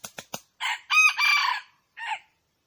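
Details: Wild red junglefowl: three quick clicks, then a loud, harsh crowing phrase, a short note followed by two long buzzy syllables and, after a pause, a brief falling final note. Otherwise quiet.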